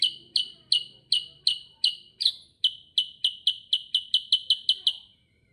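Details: Sooty-headed bulbul in rolling 'gacor ngerol' delivery: a long series of sharp high chirps, slightly faster in the second half, over a faint low rumble at the start.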